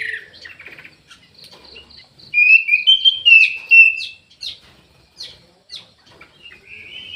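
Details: Orange-headed thrush in an aviary: soft twitters and a string of evenly spaced high pips lead into a loud run of clear slurred whistles, followed by scattered short notes.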